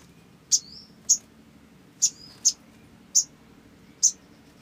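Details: Olive-backed sunbird in lively song, used as a lure to draw out sunbird song: six sharp, high chirps spaced about half a second to a second apart, two followed by thin falling whistles, over soft low background noise.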